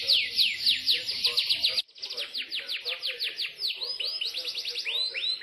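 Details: Imported Yorkshire canary in full song: rapid series of descending whistled sweeps, a brief break, then more sweeps ending in looping, rising-and-falling notes.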